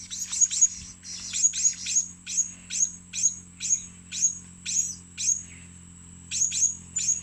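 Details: High-pitched squeaky chirps of a blue-crowned hanging parrot for luring birds, repeated steadily about every half second, sometimes doubled, over a low steady hum.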